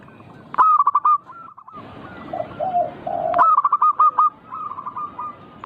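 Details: Zebra dove song aimed at encouraging diligent singing: a loud burst of quick coo notes, then overlapping fainter and lower dove calls, then another long rapid series of coos.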